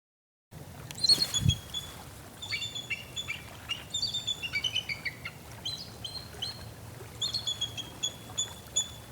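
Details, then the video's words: Bald eagle in Ohio giving thin, high, chittering whistles in quick staccato bursts, repeated throughout; a single low thump near the start. "The bald eagle makes the following sounds."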